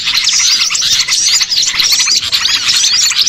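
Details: Short burst of a small-bird catching lure: shrill, overlapping chirps and thin whistles packed tightly, constant and busy.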